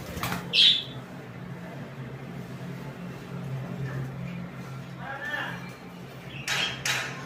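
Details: A tamed pineapple conure (green-cheeked conure) gives a few short, harsh, screechy squawks, spaced several seconds apart, over a steady low hum and faint voices; green-cheeked conure.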